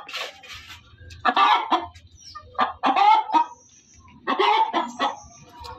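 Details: Hen's loud cackle: bursts of harsh, drawn-out squawks at a loose rhythm, with a low hum and faint thin whistles behind.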